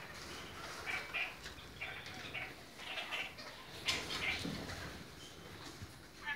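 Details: Several colour forms of red-crowned parakeet, or kakariki, give irregular short squeaky chirps and chatter, with scattered clicks and rustling.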